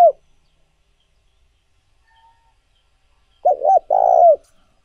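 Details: Spotted dove call recorded to excite doves and train decoys: a clipped coo tail at the start, silence, then one full phrase of two quick hollow coos and a long falling coo.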